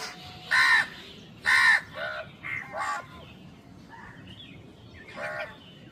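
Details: Crow calling while feeding, with two loud, harsh caws about a second apart, then softer, shorter croaks and a final rough caw.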